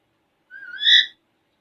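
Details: Alexandrine parakeet, a playful talkative pet parrot in front of a mirror, gives one loud rising whistled call about half a second long with bright harmonic bands, in a quiet room.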